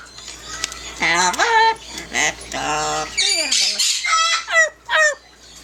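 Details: Pet yellow-naped amazon parrot singing and talking indoors: warbling, voice-like phrases with sliding pitch, several harsh squawks and sharp falling notes, short pauses between bursts.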